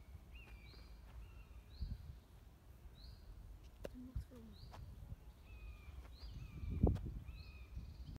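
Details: A common buzzard gives faint, high, down-slurred mewing calls about every second or two at hole 8 of the Amsterdam golf club, Netherlands, over steady low rumble and a brief low voice.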